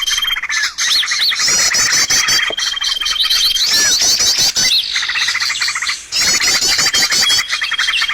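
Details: Trapping lure sound of birds: busy mixed chirping and trilling, arched whistled notes and a long flat whistle, running almost without pause, with one brief dip in loudness.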